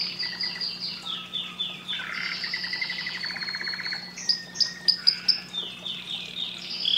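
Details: Canary song played to stimulate breeding: a varied run of high sweeping whistles, a rapid buzzy trill in the middle, then sharp, bright notes and falling whistled phrases, with a steady low hum underneath.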